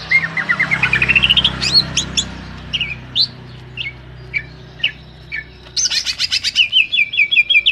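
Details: Greater green leafbird song, part of a varied clear-voiced sequence recorded as filler material for training captive leafbirds: a rising run of rapid whistled notes, then scattered sharp chirps, ending in quick high rattling phrases over a low steady hum.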